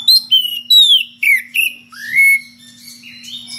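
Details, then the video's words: Magpie-robin of the kacer ngeplong type calling an opponent: loud clear whistled notes sliding downward in quick succession, a longer rising whistle, then softer warbled fragments; a low steady hum underneath. "SUARA KACER NGEPLONG MEMANGGIL LAWAN DENGAN VARIASI SUARA ANEH"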